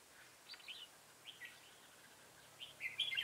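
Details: Red-whiskered bulbul recorded while trapping an old wild bird on 24 September 2018: short, scattered, warbling chirps that end in a louder, rapid chattering phrase, with steady faint hiss behind.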